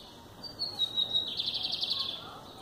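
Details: Lined seedeater singing while held in the hand: a short high whistle sliding into a fast buzzy, pulsing trill lasting about a second, over steady background hiss.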